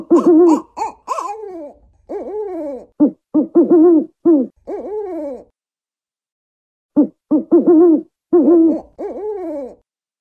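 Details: A long bout of African wood owl hooting: rhythmic groups of deep, mellow hoots, short clipped notes mixed with longer dipping ones. A pause of about a second and a half separates the phrases, with faint low rumble beneath.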